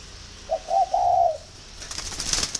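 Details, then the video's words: Spotted dove kept in Ba Vi, Hanoi, Vietnam, calling as a sign of readiness to pair: a brief low cooing phrase, a short note followed by a longer drawn-out coo, with faint rustling afterwards. "Dấu hiệu để ghép chim cu gáy"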